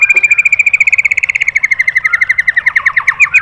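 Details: White-rumped shama song played as master training material for caged birds, in the rapid 'tembakan' style: a fast buzzy trill of evenly repeated notes for over three seconds, dropping slightly in pitch and ending in choppier, rougher pulses.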